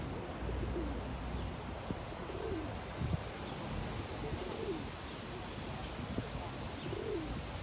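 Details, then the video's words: Courting pigeon with neck feathers puffed, dancing and cooing to attract a mate and guarding his patch: low, soft arched coos roughly every two to two and a half seconds over a constant background rumble and faint clicks. "꾸꾸루의 구애"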